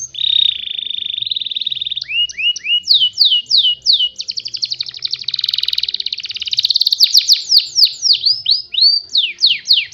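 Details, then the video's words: Canary lure song, played daily so canaries learn to imitate it. Opens with a steady high whistle of about two seconds. Then come repeated swooping slurred notes, a fast buzzy rolling trill and more rapid down-sweeping phrases. "PANCINGAN KENARI BIKIN BURUNG EMOSI"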